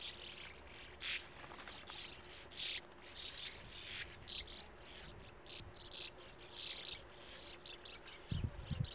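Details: Colony of sand martins nesting in burrows in a steep bank at a gravel-pit lake. Scratchy buzzing chatter rises and falls in bursts of about half a second, ending with a few low thumps.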